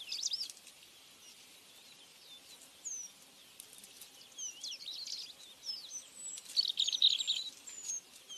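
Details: A Flame-crowned manakin (Heterocercus linteatus) gives thin, high, slurred chirps and squeaky twitters, some rising and some falling, in quick irregular bursts over a faint background hiss.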